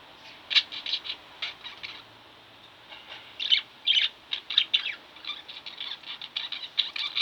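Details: Pet budgerigars chirping in bright clustered bursts, a quieter stretch near the middle, then rapid repeated chirps and chattering warbles building again.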